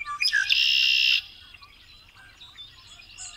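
A Red-winged Blackbird gives a few sharp introductory notes, then a loud, buzzy, high trill lasting under a second. Faint chirps follow in the background.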